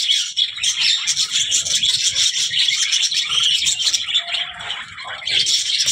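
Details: Budgerigar keeping up a busy, buzzy warble of quick chirps and twitters, accompanied by soft low clattering noises nearby.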